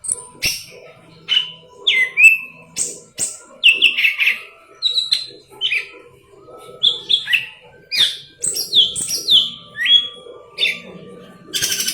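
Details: A golden-fronted leafbird sings continuously as a tutor for green leafbirds: long, varied sequence of bright chirps, downslurred whistles, rapid high notes and trills, delivered almost nonstop.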